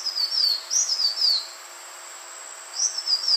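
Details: Green iora, sound used for bird trapping: series of thin, high whistled notes each sliding downward, delivered in quick groups of three to four, a short silence, then the pattern resumes; steady high background buzz.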